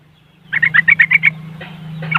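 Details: Yellow-vented bulbul in riwikan style, recorded on an Android phone in West Java, Indonesia, meant as a lure for idle caged bulbuls: a quick run of seven bright chirping notes, then faint calls, over a steady low hum.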